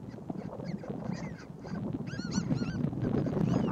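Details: Wilson's phalaropes, one an adult female moulting into breeding plumage, at the Okaloosa Holding Ponds, Florida, on 3 April 2015, give soft, nasal honking notes in quick, uneven, overlapping bursts over a steady low rumble of wind.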